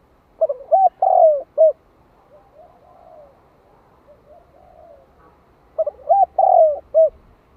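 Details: A spotted dove decoy repeats 'hạp bổi' style calling and urging coos to stimulate wild doves. Two full hooting phrases come about five seconds apart, with faint low murmurs in between.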